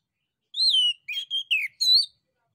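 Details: Male orange-headed thrush giving a lure song to provoke other birds to reply: a long whistle that rises and then falls, followed by four short, slurred and warbled notes in quick succession, in clean, quiet surroundings.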